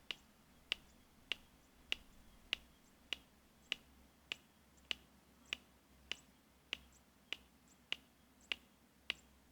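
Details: Red-crested Korhaan in Kruger National Park, South Africa (Pafuri to Tsendze), giving a steady series of sharp, dry clicks, roughly one every 0.6 seconds, over quiet background.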